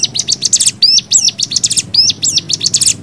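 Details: A different variation of the cigun's rapid 'nembak' song, a tutor for training birds: quick stuttering high trills broken by sharp rising whistled slurs, busy and chattering.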